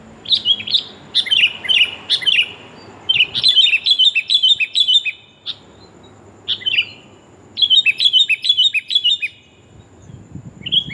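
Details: A female sooty-headed bulbul calls to attract a male, a lure recording. Clusters of bright, slurred chirps come in bursts separated by brief silences, some phrases rapid and chattering, others a few spaced notes.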